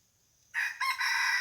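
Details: Red junglefowl crowing as a decoy bird to lure wild junglefowl back to a spot where they came in the day before; a loud harsh crow starts abruptly, briefly dips, then holds a strong drawn-out note over quiet background.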